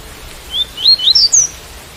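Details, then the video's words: White-collared seedeater with rain sound: a single rising run of five bright whistled notes, quick and clear, the last ones highest, over faint background rain. "Coleiro Tui Tui - Com Som De Chuva"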